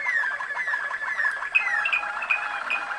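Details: Canary of the Waterslager (Malinois) breed from Kumanovo, Macedonia, singing long descending glides over a rapid rattling trill, followed by a series of short bright high notes.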